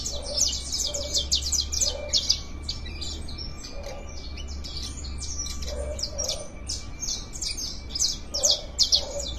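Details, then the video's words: Canaries singing while warming up, a fast rattle of high trilled and chirped phrases packed together, over a low steady hum, with a soft repeated cooing note underneath. "FOGUEO DE CANARIO"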